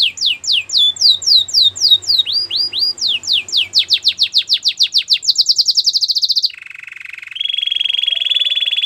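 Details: Belgian canary song meant for training a quiet canary: a long run of quick falling whistled notes, several per second, shifting pitch, then a high rattling roll and a lower steady buzzing trill.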